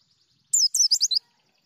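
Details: White-eye singing in a short burst of about 0.7 seconds: five rapid, high, twittering chirps with sliding notes, clean and unaccompanied, with silence before and after.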